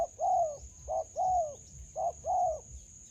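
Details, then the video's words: Wild spotted dove met while trapping with a decoy in a melaleuca plantation. Soft hollow coos fall in pitch: a brief note, then a drawn-out slurred one, three pairs in quick succession. A constant high whine runs beneath. "Bẫy Cu gáy vườn tràm .gặp bổi tố chất"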